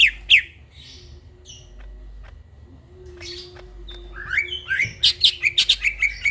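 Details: Greater green leafbird singing at midnight: two loud whistled notes, a long quiet stretch with faint sounds, then a lively rising burst of rapid chirps and whistles.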